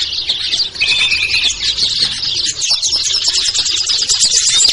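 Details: Crowded small-bird chorus used as a lure for birds that are hard to bring down, naming ciblek, kutilang, trucuk, sogon and perenjak; high scratchy chatter with a brief lower trilled phrase early on.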